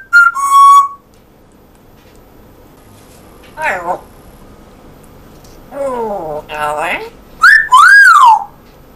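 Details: Pet male African grey parrot indoors, talking in a Yorkshire English accent; clear whistled notes open, followed by two short, nasal, speech-like phrases and a rising then falling whistle at the end.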